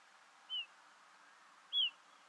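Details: Female pied bush chat calling in Ooty, India, November 2021. Two separate clean whistles, each sliding gently downward, about a second apart, over a faint low hum.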